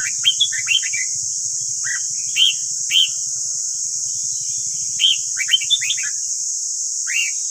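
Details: Red-whiskered bulbul morning song for bird voice training. Fast, warbling phrases and single ringing whistles alternate, backed by steady hiss and a soft low rumble.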